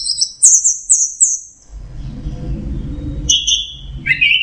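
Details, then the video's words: Orange-headed thrush in teler style: a quick series of very high twittering notes, a pause filled with low rumbling background noise, then two more whistled phrases dropping lower. "Suara Burung Anis Merah Teler"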